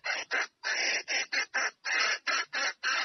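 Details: Calling to draw a male for mating, a female red junglefowl utters a continuous string of about eleven rough, rasping notes, some clipped and some drawn longer, in an uneven rhythm.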